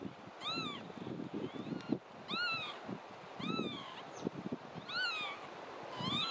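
Marsh Sandpiper giving clear, arched, slightly nasal single notes, each rising then falling, repeated about every one and a half seconds over a low rumble of wind.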